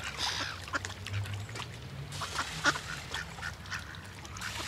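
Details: Many ducks swimming together on water, calling together; a dense overlapping chorus of short harsh quacks and honk-like notes, with a low steady rumble beneath.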